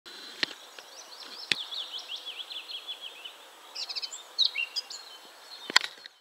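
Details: Eurasian blackcap recorded at 51.950609, 20.114712, giving a quiet, scratchy, fast warble that breaks into a few clearer, higher fluty notes, punctuated by sharp knocks.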